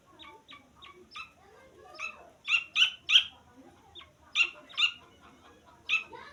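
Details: Grey francolin (teetar) chick calling: short, high, sharp peeps, some with a slight downward slur, given in irregular bursts and louder around the middle and end, with a quiet murmuring background.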